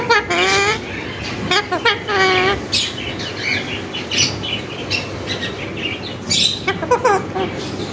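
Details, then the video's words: Talking tame parrot reciting learned words like motho beta and mano; a string of nasal, voice-like syllables with wavering pitch, interspersed with brief sharp chirps and squawks. "full talking parrot"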